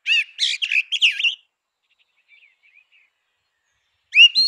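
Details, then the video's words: Singing grey-winged blackbird in natural habitat, opening with a busy jumble of warbled, twisting notes, then near silence with soft twitters, before a clear rising whistle at the end. "Canção do melro com asas cinzentas! Som de melro com asas cinzentas!"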